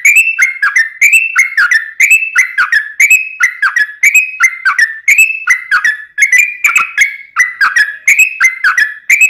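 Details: Yellow-vented bulbul in long, continuous ropelan song for training and luring wild birds. Bright whistled notes in quick paired phrases, roughly one per second, step down in pitch and repeat steadily with crisp clicks.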